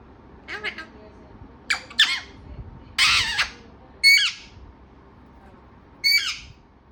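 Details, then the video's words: Talking parrot giving harsh, scratchy squawk bursts, about six in seven seconds, some doubled and irregularly spaced, over a low background hum. "बातुनी तोता"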